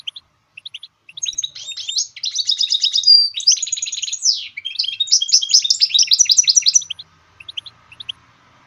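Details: Goldfinch mule, a goldfinch hybrid, singing to train other songbirds. A few sparse high chirps build into six seconds of fast, buzzy trills and rolling twittered phrases, then fade back to scattered chirps against a quiet background.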